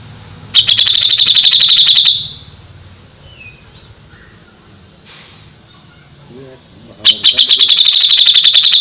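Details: Cucak jenggot singing loud bursts of rapid, evenly repeated high chattering notes, two phrases of about one and a half seconds each separated by a quiet gap with faint background sounds.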